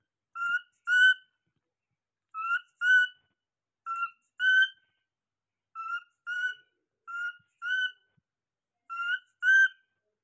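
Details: Alarm calling by a pet cockatiel: sharp, harmonic whistles delivered as two-note pairs, six pairs spread evenly at roughly one-and-a-half-second gaps, with no other sounds.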